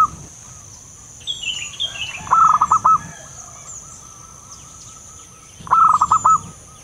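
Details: Wild local zebra dove calling, used as a lure for trapping: a short stuttering series of mellow clipped coos repeated twice, with thin higher bird whistles and a steady high insect drone behind.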